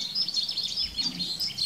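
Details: A male Great Tit sings loudly, a repetitive song of high, bright notes, several per second, with faint background hum.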